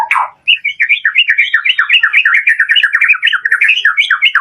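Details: White-rumped shama, 'door' style lure song with full variation, played to make caged birds sing: a low burst, then a continuous stream of quick, looping whistled notes, bright and strongly modulated.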